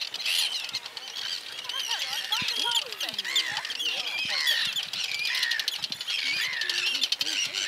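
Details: Many Arctic terns defending their nesting area on the Farne Islands, North East England, attacking people's heads: harsh, grating, overlapping high cries with sharp downslurred notes repeated rapidly and nonstop, lower squawks and rustling beneath.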